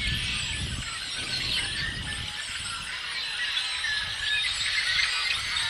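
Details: Chorus of yellow-headed blackbirds, April 19, 2016, with countless overlapping shrill squeaks, rasping buzzes and thin whistles blending into a constant din; a brief low rumble sounds early, then fades.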